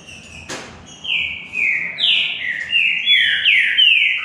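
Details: Green-winged saltator singing in a contest: after a sharp knock, a steady run of about eight bright whistled notes, each slurring down, delivered roughly twice a second and growing louder.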